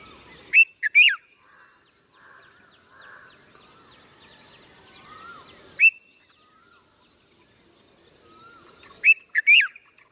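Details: Red-vented bulbul giving sharp, bright chirps in short clusters of two or three, separated by long pauses, with soft softer notes and low background hiss between them.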